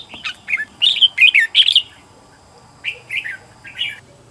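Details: Home-trained decoy red-whiskered bulbul in competitive singing used to call in wild birds: a fast run of rich chirping, warbled notes, then a pause and three separate lilting phrases.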